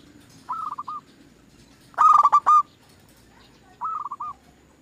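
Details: Zebra dove song for luring other doves into song: a quiet three-note hooked coo, then a loud burst of five rich rolling notes, then another soft three-note phrase.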